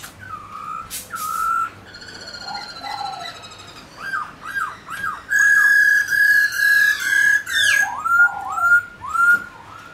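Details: Singing White-browed laughingthrush, used to rouse pet birds into song: loud piercing whistles, quick rising slurs, then long steady whistled notes repeated in series with squealing overtones.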